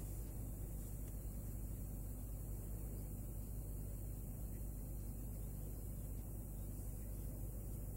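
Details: Continuous low rumbling hum and broadband hiss throughout, with no animal voices present.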